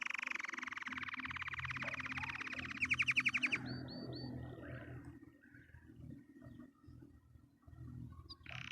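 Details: Happily singing canary delivers a rapid rolling trill, then a brighter clicking rattle, a few repeated curved chirps and softer twitters, over a low steady hum in the background.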